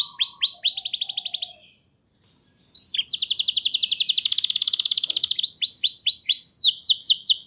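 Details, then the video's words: Canary song meant to coax young canaries into singing: looping down-slurred whistles, a pause of about a second, then a long dense buzzy trill and renewed rapid sweeping phrases. "Pancingan dan Masteran Kenari Gacor Ngotot! Ahlinya Memancing Kenari PAUD Pasti NYAUT"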